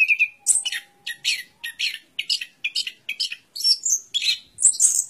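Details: Repeated short, chirpy notes from an orange-headed thrush, roughly twice a second, ending in higher squeaky whistled phrases.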